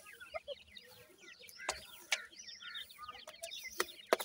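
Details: Dakhni teetar francolin chicks give soft, thin peeps that slide downward, scattered and overlapping at a quiet level, broken by sharp clicks and knocks.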